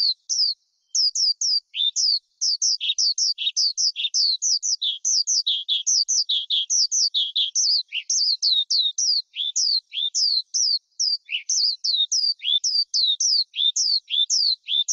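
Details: High, sweet forest skylark song, used by bird keepers to provoke wild birds or train young birds: quick downslurred whistles alternating with lower rasping notes, delivered briskly over fifteen seconds with only brief pauses.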